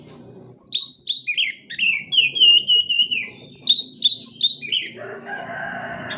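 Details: Oriental magpie-robin song used as a lure to prompt reluctant birds to sing: rapid sequence of high, sweet slurred whistles and chirps, then a long sustained trill, more bright whistled phrases, ending in a harsher rasping burst.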